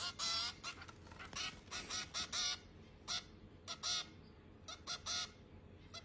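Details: Young finches begging during feeding, with rapid, rasping buzzy calls clustered at first, then spaced, uneven bursts that fade toward the end, over a soft steady hiss.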